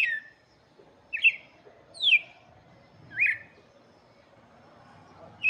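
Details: Red-cowled cardinal whistling for chicks, with five crisp, downward-sweeping phrases roughly a second apart, each clear and ringing against a quiet backdrop.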